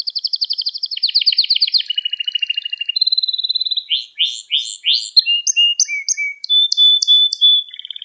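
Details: Varied Gloster canary song meant to arouse other canaries: even trills stepping lower in pitch, clipped chirps and several high whistled notes, continuous throughout.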